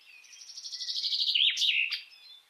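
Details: Common chaffinch song, likely the Estonian regional dialect: a fast, bright trill of repeated notes stepping downward, finished with a sharp flourish, all in about two seconds.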